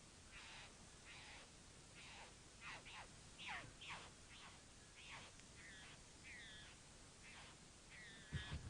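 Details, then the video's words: A bowerbird behind a house gives a varied series of harsh, rasping and scratchy calls mixed with short chattering notes, about one each second, over a low background rumble. "(Bowerbirds) atau burung Namdur"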